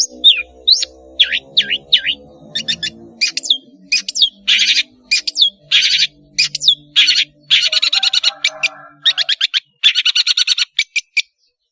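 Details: Singing long-tailed shrike, played as a teaching lure for juveniles: sharp down-slurred whistles, then dense rasping chatter in fast bursts, with faint lower-pitched background tones early on.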